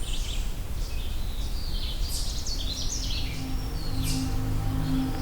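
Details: On 6 June 2023, on the Minister Creek Trail in Allegheny National Forest, Pennsylvania, a Canada Warbler singing from above gives a quick, jumbled run of high, bright chips and warbles, fairly faint, over a steady low rumble.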